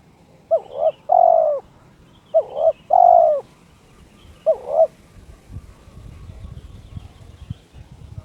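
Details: Spotted dove (terkukur) in breeding condition, cooing to challenge a rival: three phrases of two to three clear hooting notes, some doubled and some long and slurred, spaced about one and a half seconds apart, then quiet with faint background noise.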